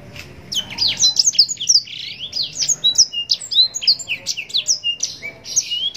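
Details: Continuous rich song of a blackthroat (Yellow-rumped serin) in long phrases: a rapid, unbroken stream of high twittering whistles and down-slurred chirps, roughly three notes per second.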